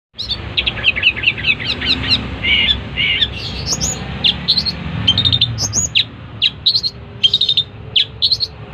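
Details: Long-tailed shrike singing a busy, varied run of high chirps and short whistled notes, rapid clusters at first, then sparser sharp downslurred notes with pauses between them over a low background rumble.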